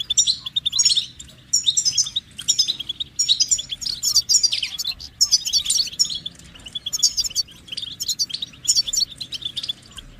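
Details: Continuous goldfinch song: high tinkling twitters and buzzy trilled phrases delivered in rapid bursts with short gaps, over a soft background hiss.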